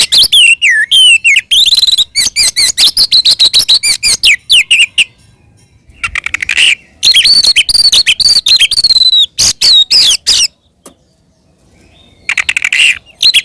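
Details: Oriental magpie-robin performing an aggressive fighting song to incite other magpie-robins: long, fast-paced stretches of ticking notes, whistles and buzzy phrases, with brief pauses and a quiet spell near the end.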